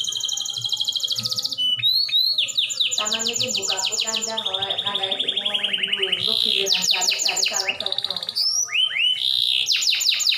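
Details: Canary song used to coax other canaries into singing, a continuous run of rapid trills, rising sweeps and rattling tours, high and bright, with faint low background hum.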